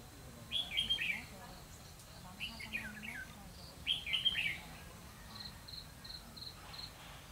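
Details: Red-whiskered bulbul decoy singing a fighting song during trapping in Vietnam, 12 November 2016; three bursts of bright, rolling warbled phrases about every 1.5 seconds, then a run of short repeated whistled notes, low voices murmuring beneath.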